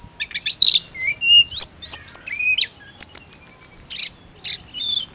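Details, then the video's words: Mountain leafbird therapy song for a bird that only ngiriks: a rough burst, low whistled notes, then a rhythmic series of about eight high slurred chips and harsh buzzy calls. "TERAPI ATASI TLEDEKAN GUNUNG HANYA NGIRIK"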